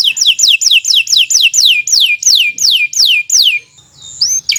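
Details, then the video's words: Kenari Nusantara canary repeating a loud, clear downward-slurred whistle roughly three times a second, the notes slowing and lengthening, followed by a short pause and a rising whistle. "Kicau Burung Kenari 153 II LUAR BIASA GACOR PANJANG"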